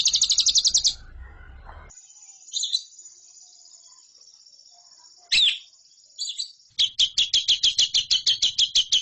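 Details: Lovebird song used as a training recording for competition birds: bursts of rapid, buzzy, high chattering notes, a long thin steady tone broken by brief chirps, then a fast run of about fifteen sharp repeated notes.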